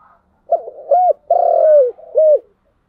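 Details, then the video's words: Spotted dove, 'giọng đồng' voice style, delivers one cooing phrase: two short arched hoots, a long level mellow note falling at its end, then a final rounded hoot. The background is clean. "Cu gáy giọng đồng"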